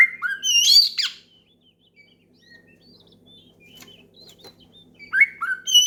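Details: Loud oriental magpie-robin song meant to challenge a rival and set other birds singing. A dense burst of varied, sweeping whistles and sharp notes opens, followed by a near-silent stretch with faint calls, then a fresh rush of bright whistled phrases.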